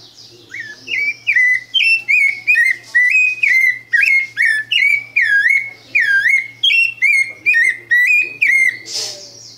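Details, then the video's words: A pale-breasted thrush sings clear, slurred whistled phrases, rising and falling, about two a second with short gaps, over a faint low hum. "sabiá branca canto"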